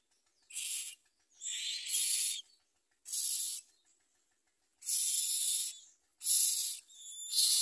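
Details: Common myna chicks at the nest with their mother, eating little and trying to bite her; harsh, hissing raspy bursts, about six in under eight seconds, irregularly spaced with short silences between.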